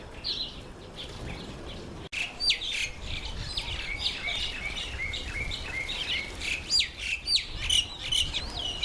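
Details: Red-faced mousebird on a first visit to a birdbath, producing many short, high, down-slurred whistled notes in an irregular chatter, with a brief click partway through and faint outdoor background.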